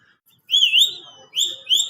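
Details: A green parrot whistles clearly: one long wavering note dips and rises, fades, then two short upward-sliding whistles follow in quick succession against a silent background.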